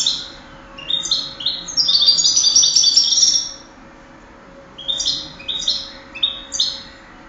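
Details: European goldfinch kept for singing contests, recorded in 2008, singing bursts of high twittering, trilled phrases with a loud buzzy run in the middle, then separate chirping notes after a short pause; steady low hum indoors.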